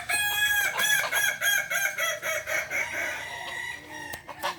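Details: Balenggek rooster crowing in a practice contest in Ampang Kualo, Kota Solok: a fast series of short tonal notes in pitch steps, roughly three to four per second, fading into a softer, drawn-out tail.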